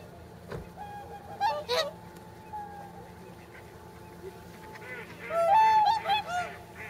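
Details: A flock of nearly 300 whooper swans at a pond in Nagamine, Nishiyama-machi, Japan, soon to leave for the north: paired trumpeting honks early on, then a loud burst of several overlapping bugling calls, over a faint steady drone.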